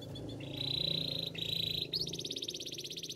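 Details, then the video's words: Canary song for training over noticeable background noise: sustained rolled trills at a steady pitch, then a faster, higher pulsing trill. "Canaries song for training! The best canary singing"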